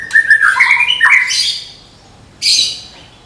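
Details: Contest-ready Medan white-rumped shama in a cage, singing a quick stepped whistled phrase that rises then drops, followed after a pause by a single loud harsh burst.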